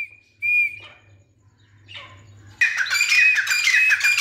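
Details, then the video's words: Grey francolin (teetar): a couple of isolated drawn-out whistled notes over a low hum, then from midway a loud, dense run of rapidly repeated harsh calls. "Teetar Making Beautiful Sounds | Teetar call | Teetar Voice | Gray francolin Voice"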